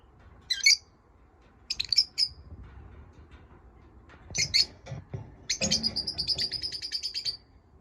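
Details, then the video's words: Pet lovebirds: a few isolated sharp high chirps, then a long, fast pulsing trill near the end. "My love birds chirping"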